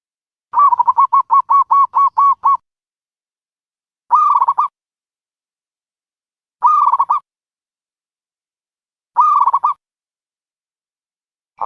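A dove gives a quick staccato run of about nine clipped notes, then short rattling bursts every two to three seconds, in otherwise clean silence.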